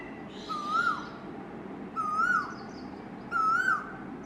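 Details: An Asian koel, calling daily in summer near a backyard balcony, gives three clear, rising whistled notes, one about every one and a half seconds, over a soft background hiss.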